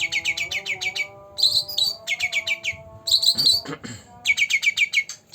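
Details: Young caged green leafbird, two months old, singing: fast runs of clipped high notes broken by richer, slurred warbling phrases, with a quiet tonal hum running underneath.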